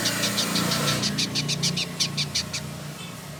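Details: Male village indigobird from Bandung, West Java, Indonesia, kept as a tutor bird, delivering an even series of about fourteen high, buzzy chips at roughly three per second, with a low engine-like drone underneath.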